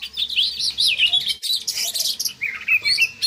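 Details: Oriental magpie-robin, captive, singing as a lure to raise breeding drive: dense run of high chirps and short whistled slurs, with a brief pause before a burst of harsh, scratchy notes and more chirping; faint low hum beneath.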